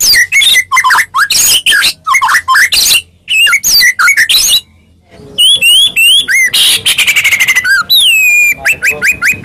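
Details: Medan white-rumped shama fighting lure: varied whistled phrases and harsh notes, a brief gap, then clear looping whistles and a fast rattling series of repeated notes toward the end.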